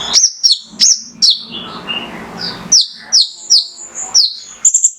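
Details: Male mangrove whistler in full song, meant to stimulate other birds: high, piercing whistles with downward slurs, a pause filled with soft rustling, then a renewed rapid series of notes.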